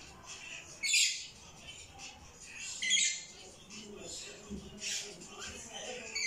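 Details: Pet rainbow lory and lorikeet playing indoors in a bedroom: harsh, hissy screeches in bursts about every two seconds, with quiet talking and soft chatter between them.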